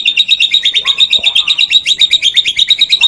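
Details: Morning or evening training song of a caged white-rumped shama: a fast, dense, buzzy trill of high rattling notes, nearly three per second, held evenly throughout.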